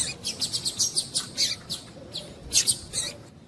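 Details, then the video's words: Calls of a female double-collared seedeater, played to stimulate a male. A fast, uneven series of thin, high chips, about a dozen in the first second and a half, then scattered doubled notes over a hiss of background noise. "Esquentar coleiro com fêmea de coleiro piadeira para Esquentar coleiro tui tui"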